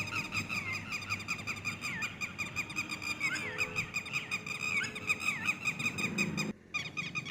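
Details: Red-wattled lapwing chicks utter rapid, high peeps mixed with curving, slurred whistles, steady for several seconds before a brief break in the sound near the end.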